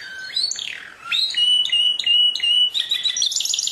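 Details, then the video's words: Canary delivering swooping slurred whistles, then a string of evenly spaced clear notes and a closing fast trill. "Chant du Canari- تغريد الكناري"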